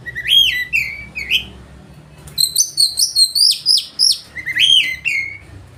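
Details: Oriental magpie-robin singing loudly with a full, rich repertoire: clear whistled notes sliding between low and high pitch, with bursts of high tonal phrases in between.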